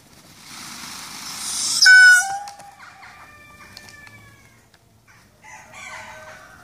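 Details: A male Indian peafowl, displaying his tail feathers to attract a peahen, honks at her: one loud, brassy honk rich in harmonics after a soft rushing noise, followed by fainter, drawn-out nasal calls and light rustling.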